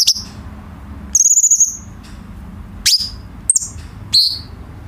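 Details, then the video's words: Grey-cheeked bulbul singing in a recording for tutoring caged songbirds: a long rapidly pulsed high whistle, then sharp downslurred chirps and a quick stutter, separated by short pauses. "KICAU BURUNG CUCAK CUNGKOK"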